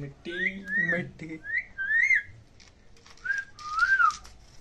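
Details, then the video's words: Pet Indian ringneck parakeets talking to each other in Hindi: a string of speech-like, rising whistled syllables, several quick notes, then two longer smooth whistles after a short pause. "Adorably Talking Ringneck Parrot With Each Other In Hindi"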